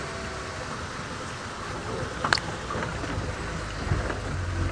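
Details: Steady rain-like rumble and vehicle noise with a brief click near the middle, and no animal voice.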